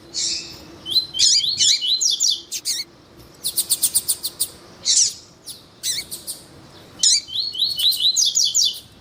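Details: Male Double-collared seedeater singing alongside a calling female, used to stimulate males. Runs of quick rising whistles and a rapid pulsing trill alternate with sharp slurred chirps over a faint steady low hum.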